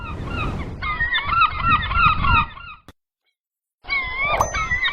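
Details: Gulls at sea: busy chorus of wavy harmonic calls over low rumble, interrupted by a second of silence, then the massed calling returns.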